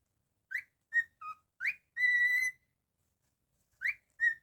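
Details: Pet cockatiel whistling its tune: rising note, flat note, low short note, rising note and a long held whistle, then after a pause starting the same phrase again.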